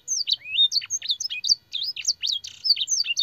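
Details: Fancy canary training song with blackthroat and sanger fill phrases, a dense run of sharp high chirps, slurred upward whistles and buzzy trills, delivered almost without pause.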